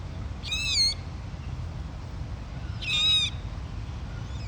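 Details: Dusky moorhen chick, with siblings and a parent foraging on a grassy lawn by a lake, gives two thin, high squeaky calls with a bent, wavering pitch, about two seconds apart, over a low steady rumble.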